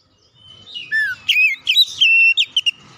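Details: Oriental magpie-robin singing to provoke a rival: loud whistled notes, a low descending slur, then clipped rising and falling phrases around two to four kilohertz in quick bursts, with faint low murmuring behind.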